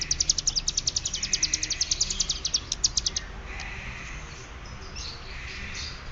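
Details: Hill prinia (ciblek gunung) from Cililin giving its rapid ngeriwik chatter: a fast train of high, sharp ticks, about ten a second, for three seconds, then softer scattered high warbles over low background hum.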